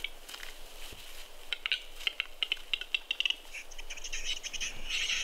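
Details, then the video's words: Western capercaillies fighting at a spring lek in the snow, Kuusamo, Finland, May 2021: a series of sharp dry clicks quickening from about 1.5 to 3.3 seconds, with thin high twittering and rustling throughout. "Fighting capercaillies in Kuusamo 05-2021. Taistelevat metsot soitimella."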